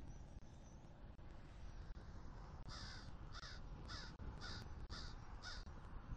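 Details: Eagle pair, a male and his new female, calling while mating on the nest attic in Southwest Florida on the morning of 10.1.23 during nest building. Seven short, bright, piercing notes come in a steady series over strong low wind rumble.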